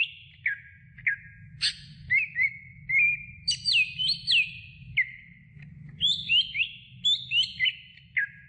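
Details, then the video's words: Greater green leafbird, from a medium-length training recording for other birds: varied clear whistles and quick rising and falling slurred notes, bursts spaced about every half second, with a steady low hum underneath. "Masteran Cucak Hijau Durasi Sedang"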